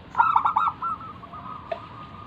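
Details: Local Indonesian zebra dove singing, a lively cooing bird used as a lure to prompt other doves to answer: a quick burst of soft, bubbly coo notes, then a steady drawn-out hum that fades.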